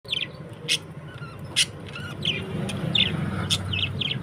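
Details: Budgies giving short, bright chirps, each near the same high pitch, coming roughly twice a second in a busy run over a steady low hum.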